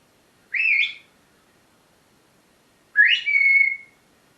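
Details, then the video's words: Parrot kept at home, calling during a morning session: two short whistles about two and a half seconds apart, the second a sharp rise that levels into a steady held tone. "My parrots morning talking session"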